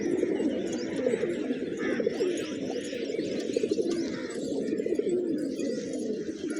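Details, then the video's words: Pigeons in a village eating fresh grains, many birds cooing at once: a thick low band of rumbling, bubbling coos, with soft higher chirping behind. "Cute Pigeons Eating, Playing & Making Funny Sounds"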